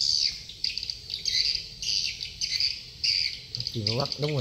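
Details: Swiftlets at Dương Tơ commune, Phú Quốc, Vietnam, giving repeated bursts of high, buzzy twittering in short clusters, followed at the end by a man speaking over the chirps.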